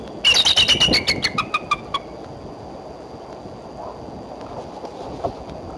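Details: Female bald eagle perched near the nest at Decorah, April 3, around midday, calling: a rapid string of high, squeaky chattering notes falling in pitch over about two seconds, then quiet background.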